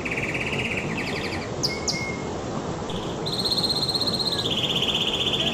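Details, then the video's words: Singing canary: a low buzzy trill, a brief whistle and a few sharp high notes, then a bright rapid trill that drops slightly in pitch and carries on to the end. Faint hiss behind. "تغريدة طائر الكناري"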